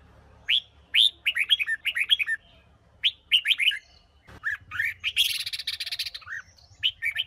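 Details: A female red-whiskered bulbul from Huế sings to stimulate males: short bursts of bright, bubbly whistled notes in quick rising-and-falling phrases, with a brief scratchy rustle midway.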